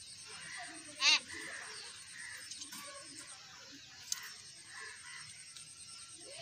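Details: Talking myna bird playing in a garden gives one loud, brief harsh call with stacked harmonics around one second in, over a steady high insect-like hiss and faint distant chirps.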